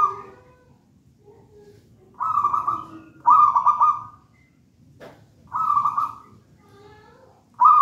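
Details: Vigorous song of a wild-caught local zebra dove from a raja banana plant nest: four loud pulsed, rolling coo phrases of about a second each, separated by pauses with soft low sounds.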